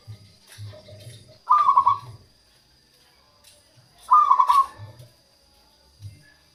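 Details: Local zebra dove song for attracting wild doves and encouraging quiet birds to sing: two short trilled, bubbling coo phrases about three seconds apart, with deep soft hoots pulsing in between.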